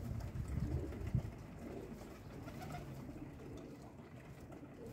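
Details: Pigeons at breakfast feeding time, giving low, soft cooing notes in a short burst early on, then fading into a steady murmur of background noise.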